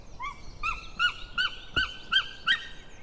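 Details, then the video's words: Male white-tailed eagle calling, recorded 16 May 2016 just before noon: seven loud yelping notes in a steady series about every 0.4 seconds, each with a rising inflection and strong overtones, over a quiet, faintly noisy background. "merikotkas MaleCalls"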